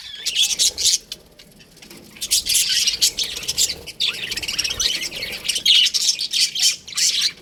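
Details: Baby budgies in an aviary: a dense, continuous chorus of many overlapping harsh chirps and squawky chatter, loud throughout, with brief pauses and what sounds like wing flutters.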